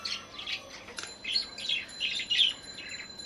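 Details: Budgerigar calling: soft, quick high chirps and warbling chatter in short bursts, several notes per second, against a quiet room background with a faint steady tone.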